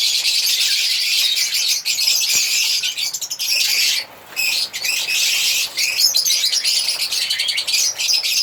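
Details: Singing and chirping African lovebirds: steady shrill, high chattering with scattered sharp clicks and a brief pause midway.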